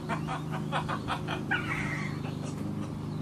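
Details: A pet macaw laughing and calling out to Grandpa gives a quick run of about six raspy, laugh-like bursts, then a higher drawn-out squeaky vocal sound, over a steady low household hum.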